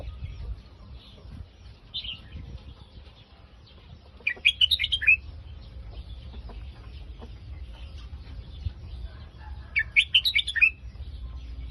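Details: Phetchaburi-style song of a red-whiskered bulbul: two brisk bubbling phrases of rapid whistled notes about six seconds apart, with scattered soft chirps between them over a steady low rumble.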